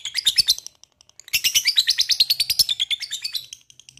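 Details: Lovebird ngekek, fast rattling chatter of scratchy high notes in two bursts, a short run then a longer steady string after a brief gap, recorded close.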